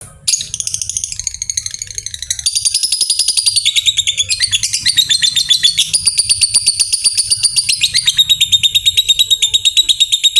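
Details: Fighter lovebird giving a long chattering trill (ngekek panjang), used to provoke rivals and as a model for training young birds: dense, high, rapid metallic chirps repeated steadily for the whole stretch, growing louder after the first seconds.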